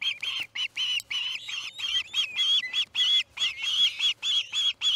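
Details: At the Charlo osprey nest, August 10, 2018, early morning, a fledging chick gives high, piercing piping notes in a dense, uneven run, some notes sliding upward, with barely a pause between them.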